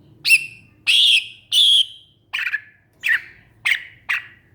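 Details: Greater green leafbird, called cucak ijo, giving a series of seven loud rasping notes roughly every half second, the first three longer and harsher, the rest shorter and slightly lower, with a faint low hum.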